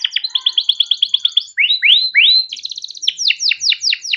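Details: Captive canary in long rolling song, used to lure and train young canaries: fast series of sharp repeated chirps, then slow rising sweeping whistles, then quick trills and downslurred notes, loud and clear with no other sounds.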